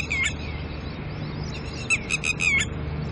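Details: A red-wattled lapwing from a disturbed pair with chicks, early morning, gives a brief opening note and then a quick run of four or five shrill, sharp calls ending in a downslurred note; low background rumble.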